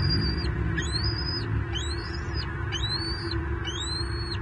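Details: Single bald eaglet at a Southwest Florida nest camera on 9 May 2023, calling as the adult male brings fish: high thin whistled notes, each rising then holding flat before dropping, about five in quick succession over low steady hum.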